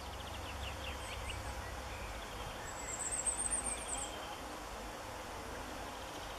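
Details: A Firecrest in northern Germany on 16 March 2017 gives a brief burst of very high, thin notes that speed up into a quick run, with faint chirps from other birds and steady background hiss.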